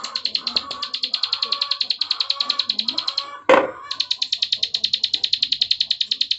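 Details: Continuous rapid buzzing trill of a bar-winged prinia (ciblek sawah), sung in 'ngebren' style as a tutor recording, briefly cut by a loud knock before resuming, with low background voices.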